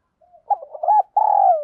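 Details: Spotted dove in the 'giọng đồng thúc' calling voice, played to train decoy birds. A soft lead-in gives way to bubbling low coos, then a long, steady, slightly falling hoot.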